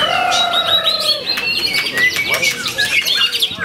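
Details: White-rumped shama singing at Ciseeng, Bogor, Indonesia, recorded 10 August 2021. Clear, loud, slightly falling whistled phrases open the clip, then give way to a dense tangle of chirps, trills and sharp notes over a busy, noisy background.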